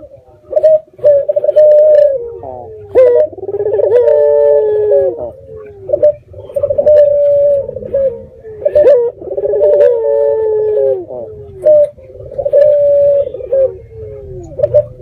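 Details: Local puter dove with red eyes giving a lure call meant to make other doves answer; rolling coos with a bright, slightly wavering tone, repeated in bursts about every two to three seconds, with low hum underneath.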